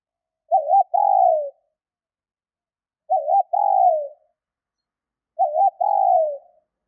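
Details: Female spotted dove cooing to draw a response from males: three matching phrases about two and a half seconds apart. Each has a wobbling short note and a longer descending coo, with no other sounds.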